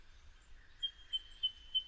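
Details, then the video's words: Eastern Yellow Robin's common piping call, played for comparison with the similar White-throated Treecreeper: a thin, high, even whistle held steady, with four brighter pips about every third of a second over faint low rumble. "So that was the eastern yellow robin's piping call, quite a common call."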